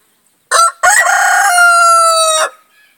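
A Rhode Island Red rooster gives one loud crow, two short opening notes and then a long, level, drawn-out final note lasting about a second.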